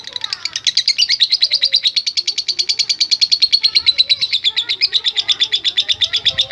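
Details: Lovebird giving a long, rapid chattering trill used to provoke other fighting lovebirds: dense, buzzy high-pitched notes repeated steadily, a little over one per second in pulses, running unbroken through the whole stretch.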